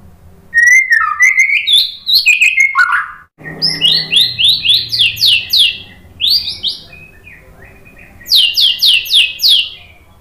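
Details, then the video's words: White-rumped shama lure song: tumbling whistled phrases, then loud runs of quick descending notes repeated about five times per burst, separated by short pauses. "OCEHAN MURAI BATU BIKIN NYAUT JADI GACOR NGEPLONG BONGKAR MATERI ISIAN ¦ PANCINGAN MURAI"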